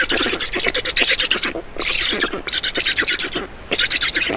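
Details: Feeding time at an Estonian black stork nest, 7 June 2019, 16:44: loud, harsh rasping notes come in clustered bursts of about a second, separated by brief gaps, rough and wheezy in tone.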